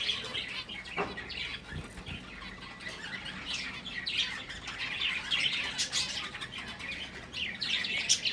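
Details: Breeding finches give a steady stream of thin, high-pitched chirps from several birds at once, a few sharp clicks and knocks breaking in near the start.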